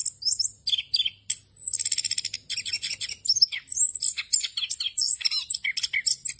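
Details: Rolling ngerol song of an orange-headed thrush, full of varied filler phrases and meant for tutoring other birds. A long clear whistle near the start gives way to dense rapid trills, buzzy chatter and sharp high chips in a continuous run.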